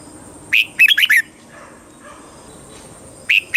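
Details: Red-whiskered bulbul, song played to excite caged birds and coach young ones: one short phrase of four or five quick, clear whistled notes, followed by a quiet gap and the start of another phrase.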